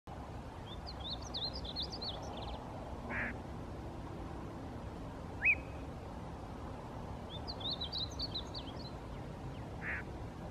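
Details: Male painted bunting singing at Rattlesnake Springs, New Mexico, on May 6, 2016: two soft, high, warbled phrases of quick jumbled notes, several seconds apart, with a single sharp upslurred note between them over steady low background hiss.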